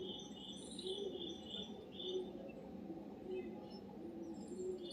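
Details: White-eared bulbul (Pycnonotus leucotis), tagged as a mother bird with triplets: thin, high chirps in short bursts about once a second over a steady low murmur with soft cooing notes.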